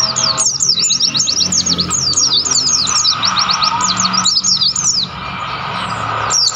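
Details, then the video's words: In mountain forest on Mount Lawu, Tawangmangu, wild mountain white-eyes pour out fast, high, sliding chirps, roughly two or three per second, in overlapping bursts with brief gaps, over a steady natural hum. "pleci gacor gunung Lawu Tawangmangu"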